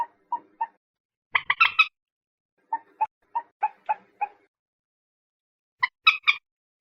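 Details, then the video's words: Common moorhen calls: a run of short, clipped notes at a steady pace, broken by two clusters of harsher, rasping bursts in quick succession. Silent gaps between phrases, no other sounds. "SUARA BURUNG MANDAR/PELAN/MANDAR BATU/MOORHEN/GALLINULA CHLOROPUS"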